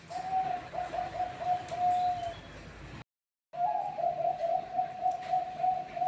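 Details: Bangkok-type zebra doves answering each other with steady, purring coos. A long rolling phrase breaks off into brief silence, then a second vibrating run of soft coos follows at the same even pitch.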